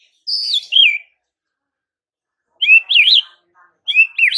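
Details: Clear whistled phrases from a white-rumped shama at dawn, aimed at drawing an instant reply from rivals: three short, wavering, looping motifs separated by long silences.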